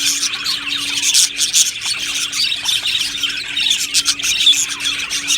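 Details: Many happy budgies chattering together in an aviary: busy high-pitched chirping and warbling with intermittent sharper squawks, forming a continuous chorus, a low hum running steadily underneath.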